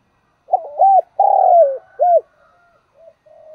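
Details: Spotted dove calling as a decoy to train other doves: one full phrase of a quick double coo, a long rattling coo sliding down, and a rounded last coo, followed by faint soft coos in the background.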